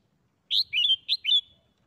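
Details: A caged Red-whiskered bulbul sings one quick, bright phrase of four liquid, warbled notes in about a second, a doubled-note song style. The background is otherwise quiet.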